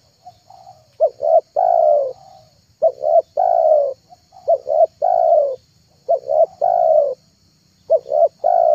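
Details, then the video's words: Lure call of a spotted dove: rhythmic phrases of two short coos and a sustained, gently falling coo, repeated about every two seconds, each phrase introduced by a faint soft note. "MP3 TEKUKUR PIKAT TERHITZ DI AKHIR TAHUN 2022,,pikat tekukur"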